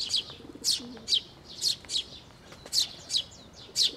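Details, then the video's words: Sparrows with fledgling chicks come to a bridge over water at a shrine to be fed, 11 May 2024; loud, piercing chirps about twice a second, each sliding slightly downward, with a faint low murmur beneath. "水上橋に 餌を貰いに飛んで来る雀達、巣立ち雛鳥"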